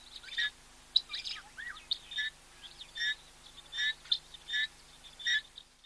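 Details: Helmeted guineafowl calling close-up: harsh, rasping bursts repeated quickly and unevenly, with mixed chattering notes near the start, then settling into a steadier cackling rhythm.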